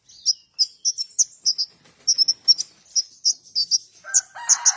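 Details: Young golden-bellied gerygone singing vigorously: short high sharp chirps repeated about three times a second in a steady chattering run, with a lower buzzy note near the end.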